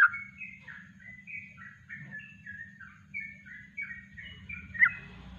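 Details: Kongslet-style song from a yellow-vented bulbul, natural and meant for training birds, heard quieter here: a chain of sliding whistled phrases over a low background hum, with one louder sharp note near the end.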